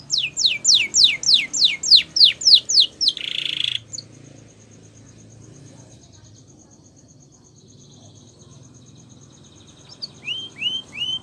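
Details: Canary training song opens with about four seconds of rapid repeated downward-sweeping whistles ending in a short buzzy trill. Near silence follows with a thin steady high tone, then three rising chirps near the end.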